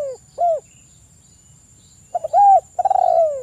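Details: Spotted dove (local tekukur) cooing, used as a lure to prompt other doves to call: two soft, low, hollow notes, a pause, then a quicker rolling run of coos, with a thin, steady high whine throughout.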